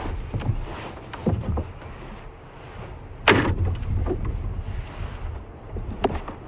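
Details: On an evening safari drive, scattered clicks, knocks and a sharp door-like clunk sound over a low vehicle rumble, and no animal calls stand out.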